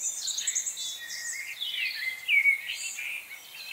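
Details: Several chickadees in a November feeding frenzy call at once, a busy overlapping mix of thin high chips, buzzy notes and short whistles with no pause between them.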